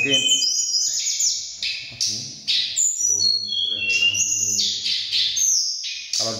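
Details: Competing mountain tledekan birds, Cilongo, Indonesia, emotionally charged contest of loud and fine song: rapid high whistled notes and slurred chirps tumbling over each other while a man speaks underneath through most of the passage.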